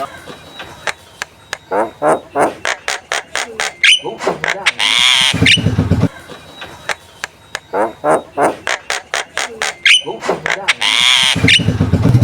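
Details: Javan myna song used as a model to prompt contest birds: rapid runs of clicks and chattering notes alternating with long harsh rasping squawks, the whole phrase repeated twice, loud and close.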